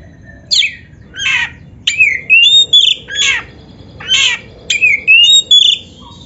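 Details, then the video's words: Oriental magpie-robin song for training pet birds: harsh, rasping chatters alternate with rising and falling whistles and a long wavering whistle near the end, in separate phrases spaced about half a second apart. "SUARA BURUNG KACER MASTERAN"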